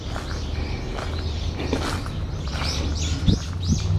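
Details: Around 13:25 on 14 October 2015, a brown-eared bulbul gives calls named as an earthquake warning. A few shrill, arching notes cluster near the end, with soft chirps earlier, over constant low background rumble and occasional thumps.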